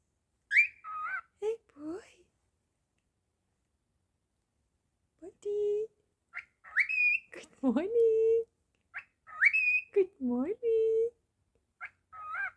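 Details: Pet cockatiel indoors, talking and whistling: clusters of clear tonal, speech-like phrases, some sliding steeply down, others held steady or rising, with a quiet gap of about three seconds midway and a quiet room behind.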